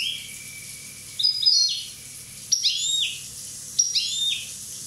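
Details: Corsican European goldfinch, one year old, giving three short bursts of high, squeaky, slurred notes about a second apart, separated by quiet pauses over a low background hum.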